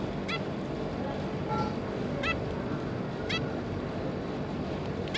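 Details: Zebra finch family, two adults and three juveniles, 5 August 2022: soft, evenly spaced nasal calls with stacked harmonics, about one per second, over a continuous low hum.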